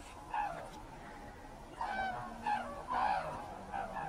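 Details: Red-crowned cranes at Ito Sanctuary in Tsurui, Hokkaido, Japan, as they take flight, uttering loud nasal trumpeting notes in quick bursts, several birds calling together.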